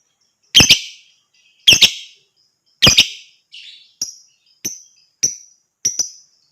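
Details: Lovebird sounds meant to set other birds singing and chattering in ngekek style. Three loud harsh shrieks about a second apart, then a series of shorter, sharper high chips.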